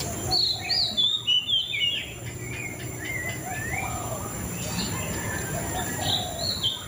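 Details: White-rumped shama singing a fast series of sharp whistled notes and slurs early on, followed by lower, softer warbled phrases, all over steady background hiss.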